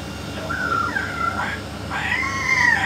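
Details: Talking yellow-naped amazon with a parrot expert: a smooth tonal glide wavering up and down, a short pause, then a louder, richer drawn-out phrase that rises and holds, voice-like in quality, over a low hum.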